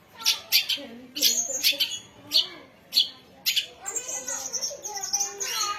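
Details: Young songbird, presented as a white-rumped shama, ready for songbird contests: bursts of harsh, buzzy high notes separated by short gaps, then a faster run of varied chattering notes with a thin whistled tone held near the end.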